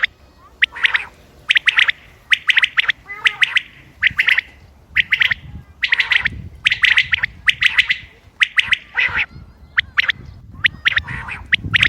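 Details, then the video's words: Common Quail calling in sharp, somewhat harsh bursts, often in quick twos and threes, roughly one a second at an uneven pace, little else heard; recording dated 28 May 2025, used for quail hunting. "quail bird sounds common quail bird sounds بٹیر کی آواز"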